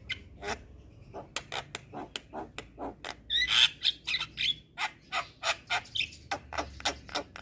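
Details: Vigorously singing Javan myna on a training master recording: a fast series of short harsh clicks and chacks, about four per second, broken midway by a louder burst of squeaky whistled notes.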